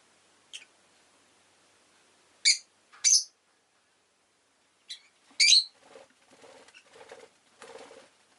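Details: Rosy-faced lovebird (Agapornis roseicollis) gives shrill, harsh chirps in short bursts at irregular intervals, with low rumbling city background noise and softer sounds during the last two seconds.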